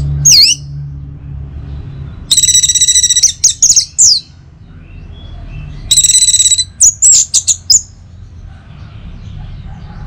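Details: Orange-headed thrush song used as a morning lure for other birds: a sharp V-shaped whistle, then two phrases opening with a long buzzy rasping note followed by quick bright chirps and slurs.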